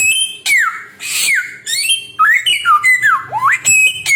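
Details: Samyong bird singing a varied run of clear whistled notes that slide down and up, mixed with harsh noisy bursts, delivered in quick succession with almost no pause.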